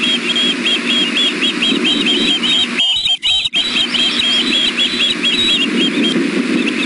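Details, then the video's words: Three ospreys food calling at their nest at six in the evening: continuous high, piercing chipped whistles repeated several times a second, dropping out briefly near the middle, over a low constant rumble. "ospreys 7 5 16 600pm all three food calling"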